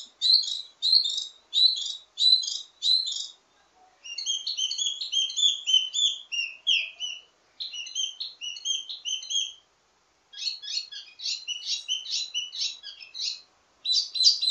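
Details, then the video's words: Ledekan-style song from a wambi mini, full of variations and meant to tutor birds of the same kind: long runs of rapid, scratchy high chattering notes in several bursts, with short silent breaks between them. "Ledekan Wambi mini Full Gacor Banyak Vareasi"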